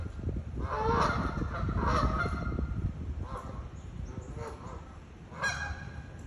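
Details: Geese honking while chasing at SIUE in Illinois: a run of loud, harsh nasal honks in quick bursts around one and two seconds, then scattered fainter honks, over steady low background rumble.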